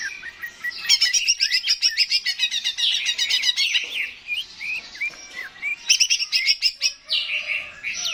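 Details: Cucak ijo, the greater green leafbird, singing energetically to encourage birds to sing: dense rapid chattering notes and rolling trills, interspersed with short upslurred whistles, continuous and varied throughout.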